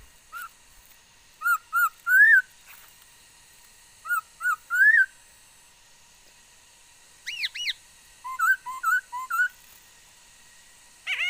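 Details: Chinese hwamei recorded 13 August 2021, a songster said to sing many kinds of sounds: repeated phrases of three rising whistles, a pair of steep dropping notes, then a stuttering run of short dipping whistles, with a faint steady hum.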